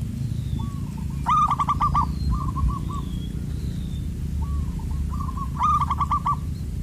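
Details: Zebra dove (perkutut) answering a trapper's decoy, its voice called loud and carrying far: soft introductory coos followed by a rapid stuttering series of bubbling notes, repeated twice, over steady low rumbling background noise.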